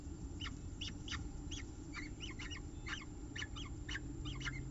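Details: At CSU Orange on 5 October 2018, a peregrine falcon at the nest with eggs gives a fast run of rasping, chattering notes, some doubled, roughly three per second, above a low continuous rumble.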